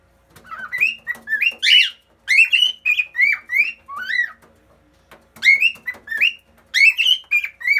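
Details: Pet cockatiel singing while perched on a fridge, with a second cockatiel nearby: a lively run of clear whistled notes, many rising or swooping, delivered in quick bursts with a short pause before a final flurry.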